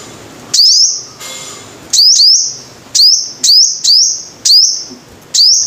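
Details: Shrill high sunbird notes, the bird called the five-coloured sunbird, each an upward whip with a lingering thin tail, given singly and in pairs; a short hiss of noise interrupts near the start.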